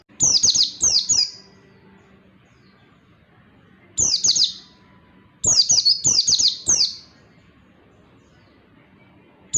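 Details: Oriental white-eye song meant as tutor material for lazy-singing white-eyes: bright, high twittering bursts of quick falling notes, phrases roughly every two seconds, some run together, low background hum.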